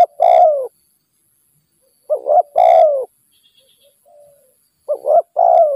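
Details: Spotted dove, a wild bird that nods a lot, lured by a decoy, uttering three hoarse cooing phrases, each a quick two-note coo and a long downward croo, with faint soft notes between.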